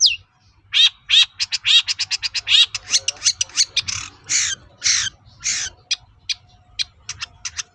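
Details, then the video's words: Long-tailed shrike lure song for provoking other shrikes to answer: a series of harsh, nasal, ringing notes repeated about twice a second, becoming broader, rougher screeches and then thin clipped chips. "SUARA BURUNG PENTET GACOR AMPUH UNTUK PANCINGAN CENDET LAIN AGAR NYAUT"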